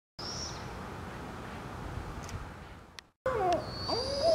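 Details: A family of barred owls in British Columbia, Canada, gives wavering, bending hoots near the end, following a stretch of steady background hiss, with a thin high whistle or insect tone alongside.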